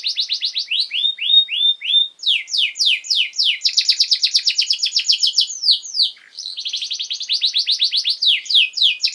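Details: Canary singing a long master song meant to teach young canaries: fast rolling tours of repeated high notes, each series of slurred syllables changing to a new trill, with a brief dip near the end before rapid chirps resume.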